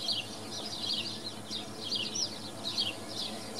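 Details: Swallows filmed at Wicken Fen. Busy run of sharp, high twittering chirps in clusters every half second or so, over a low rumble of outdoor noise.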